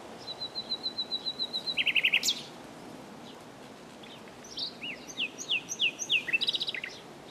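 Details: Song of a common nightingale opening with a steady run of high pips, then a loud rapid trill, a pause, and a varied stretch of swooping whistles and quick chattering notes.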